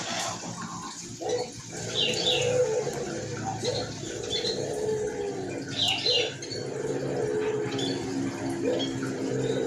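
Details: White collared dove with a hoarse voice, calling often: low drawn-out coos, some falling slightly in pitch, repeated through the stretch, with high chirps from other small birds above.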